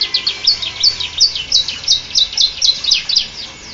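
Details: High, sharp chirps from a canary singing in prinia style, delivered steadily at roughly three notes per second in a quiet setting.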